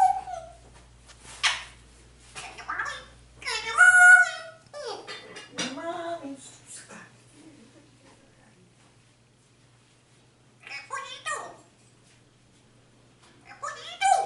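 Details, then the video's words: A talking African grey parrot speaks Spanish, calling its owner and asking for turkey and chicken. Loud bursts of speech-like words with harmonic, nasal tones and a bright whistled note, grouped in phrases separated by short silences. "Grey talks in Spanish, asking for turkey and chicken"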